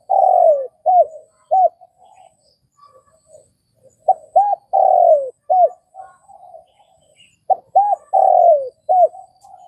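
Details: Vietnamese spotted dove cooing in three phrases, each made of short arched hoots followed by one long, drawn-out coo that slides downward, with soft low murmurs between phrases and quiet in the background.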